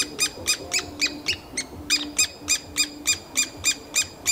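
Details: Three-toed woodpecker chicks in a nest hole in summer, calling loudly and almost nonstop to urge parents to bring insects; high, harsh, squeaky notes repeated about three to four times a second, with a faint low hum underneath.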